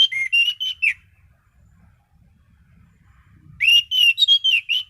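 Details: Orange-headed thrush in full, steady song. Two short bursts of clear whistled notes about a second each, sliding and wavering between mid and high pitch, separated by a quiet gap of roughly two and a half seconds.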